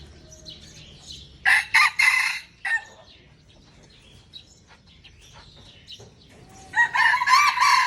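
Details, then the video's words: Red junglefowl of Aceh, Indonesia, pure bird against an F1 hybrid: a loud, stuttering crow in two bursts, light chirping in between, then a second crow starting near the end and still going when cut. "Ayam Hutan Aceh # Perang Kokok Ori dengan F1"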